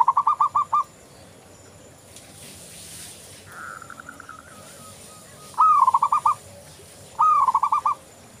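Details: Active local zebra dove: a rapid run of staccato coos, a quieter stretch with a drawn-out steady tone, then two loud, rolling trilled phrases about a second and a half apart.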